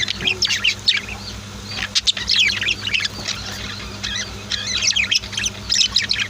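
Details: Chattering pet budgies and lovebirds at home, natural sound without music: bursts of shrill chirps and squawks come in clusters every second or so, with a low background hum.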